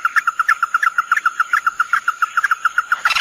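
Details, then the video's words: Male and female red-eyed crake, used as lure audio, give a fast, even run of clipped mid-pitched notes, about eight a second, over a faint steady high whine. "suara pikat burung Tikusan mata Merah jantan & betina"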